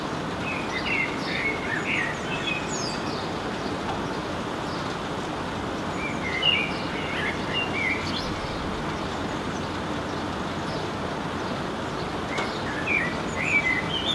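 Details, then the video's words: Common blackbird perched on an antenna in rain in Helsinki, Finland, June 2016, sings short warbled phrases spaced several seconds apart, half-drowned by steady rain hiss, shaking his feathers and eventually flying off. "Blackbird singing in the rain"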